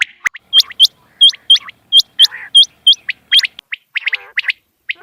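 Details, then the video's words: Morning quail calls: crisp, high, hooked chirps repeated about every quarter to half second, then quicker clustered chips and a brief buzzy note, over near silence. "batair ki subha ki awaz | batair ki awaz | quail call"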